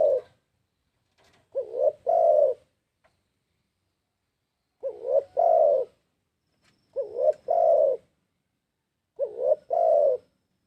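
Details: Spotted dove cooing for use as a trapping lure: four evenly repeated phrases, each a brief rising double note then a drawn-out mellow coo, with quiet gaps and a faint high tone between them.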